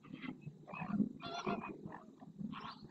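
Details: Flamingos performing their group display in the marsh at El Rocío, Doñana, Spain, recorded by a fixed camera; five or six loud, raspy honking bursts about half a second apart above a droning low chatter.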